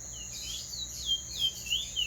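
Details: Teacher bird in clean roll song, giving a short run of high, sweet, looping whistles that rise and dip, four or five notes in two seconds, with a constant thin high hum behind.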